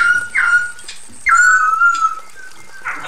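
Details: Female Chinese hwamei calling to the male: two long, clear whistles, each sliding down and then holding steady.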